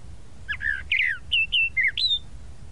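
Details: Tropical mockingbird (sabiá-da-praia) delivering a quick run of varied notes: slurred downward whistles, a burry trill and a final rising whistle, all loud and close against a faint low rumble.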